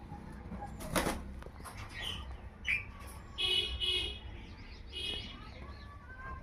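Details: Lutino cockatiel from a breeding pair gives short, harsh, slightly warbled calls after a burst of wing flapping.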